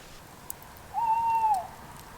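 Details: At night, an owl apparently close by in the trees of a wooded garden near Bridport, Dorset, gives a single hoot: a drawn-out hollow note held steady for about half a second before dipping.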